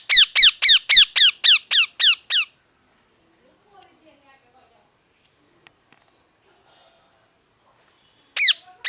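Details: A parrot fires off nine loud, raspy squawks in quick regular succession, pauses for several quiet seconds with faint small clicks, then starts another squawk at the end.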